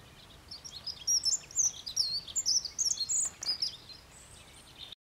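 A Dunnock sings a rapid, high, jangling warble of thin squeaky notes lasting about three seconds, over a faint background hiss.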